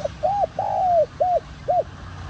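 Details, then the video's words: Spotted dove calling to lure wild doves: one full phrase of a brief opening note, an arched coo, a long sliding coo that falls at the end, then two short arched notes, with low hum beneath. "Tiếng Cu Gáy Giọng Hạp BổI ĐỦ BÀI [GỌI BỔI] TỐT TIẾNG kích Bổi Nhanh Nổi.Mở lên là bổi gáy lại"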